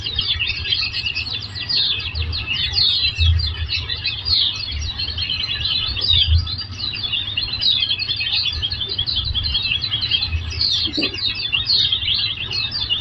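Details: Oriental white-eye twittering from a masteran training recording: quieter, steady flow of high, quick chirps and short descending trills, continuous over a low pulsing hum and a faint background buzz.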